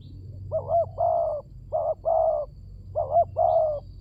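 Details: ['Spotted dove used as a lure: three hollow cooing phrases evenly spaced, each a double note followed by a longer smooth coo, with low hum behind.']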